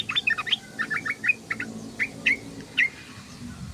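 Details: Sooty-headed bulbul giving ngeriwik chatter: short bubbly, slurred notes tumble in loose groups, some rising or falling, with a steady low rumble behind them.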